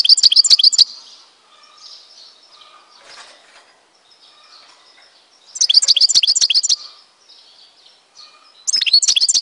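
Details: European goldfinch from Tizi Ouzou, Algeria, singing two bright bursts of rapid, high, tinkling twitters with a short start of another, separated by quiet pauses holding faint background chirps.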